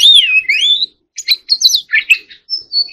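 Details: Oriental magpie-robin (choè than) singing in contest style: a long, sweeping wavering whistle, then a jumble of quick squeaky notes and a thin, high, sustained whistle at the end.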